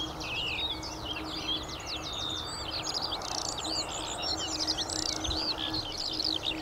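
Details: Eurasian skylark song near traffic: an energetic, continuous warble of high chirps, rattling bursts and looping whistles that grows louder toward the end, with a faint low hum behind it.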